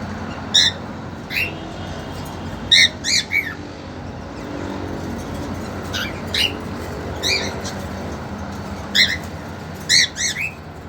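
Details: Harsh harmonic calls repeated in pairs and singles about every second, from caged cockatiels where a male keen to mate courts a two-month-old female.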